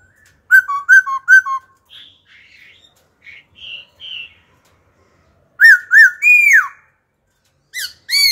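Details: A wild-voiced laughingthrush sings, continually switching phrases: loud, rich whistled notes, three quick repeated phrases, softer warbling, then more bold slurred whistles.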